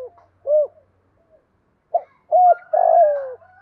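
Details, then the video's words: Spotted dove call for luring and training decoy doves: isolated short coos, then a louder rolled descending coo with faint higher notes overlapping near the end. "tiếng chim cu gáy tập bổi nhanh nổi hiệu quả"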